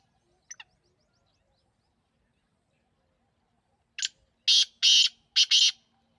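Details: Partridge calling: after a faint high squeak and a long quiet gap, a burst of loud, harsh, raspy notes comes as a short lead note followed by two pairs of drawn-out grating syllables.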